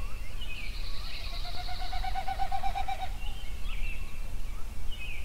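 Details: Songbirds at sunrise, about 4:40am on 15 June 2013, at the mouth of Pelican Creek on Yellowstone Lake: a drawn-out, slightly rising buzzy note of about two and a half seconds, then brief high chirps, over a steady low wind rumble.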